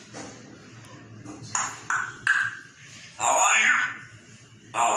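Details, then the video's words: A Grey parrot imitates human speech ("how are you") in a few short, voice-like phrases, with sharp pinging whistles between them in a quiet room. "Grey parrot ,the rockstar,HOW R U"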